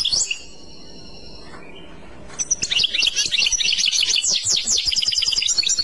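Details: A European goldfinch delivers clochette song: after a short tail of a phrase and a two-second lull, a continuous stream of quick, chattering, bell-like twitters fills the rest.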